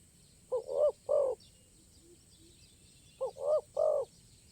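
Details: Wild spotted dove at a luring site, a bird with a crisp, stuttering voice full of sound play; two low cooing phrases, each a short note then two longer, rounded coos, separated by a two-second pause; faint insect hiss.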